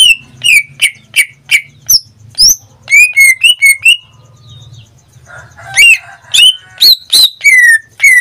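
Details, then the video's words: Pet greater green leafbird in Indonesia, a caged bird said to sing almost daily, giving loud whistled notes sliding down in pitch, repeated in quick bursts with short pauses and a brief low murmur between phrases. "Suara cucak ijo suaranya tidak diragukan lagi"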